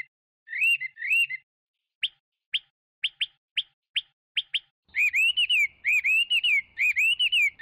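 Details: Chinese hwamei giving two paired whistles, then a string of very short sharp clicks or chips, then a sustained stretch of rich, wavering whistled phrases.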